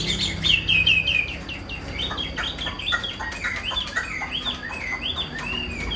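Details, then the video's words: Caged, hand-tamed Chinese hwamei singing a varied run of clear whistled phrases, quick slurred notes repeated about four per second and shifting pitch, with faint clicks in the background. "Chim thuần sách tay hót, đấu tốt - Hoạt Họa Mi"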